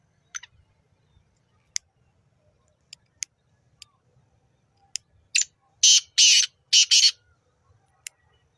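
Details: Black Francolin (black partridge, kala teetar) in Nawabshah, interior Sindh, Pakistan, gives a loud, harsh, grating call of four rasping notes in quick succession, preceded by scattered sharp ticking clicks.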